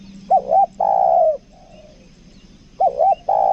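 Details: Spotted dove used for luring, 'kuk dua' call type: a wavering two-part note and a long mellow coo trailing off, a pause, then the phrase begins again; soft low hum behind.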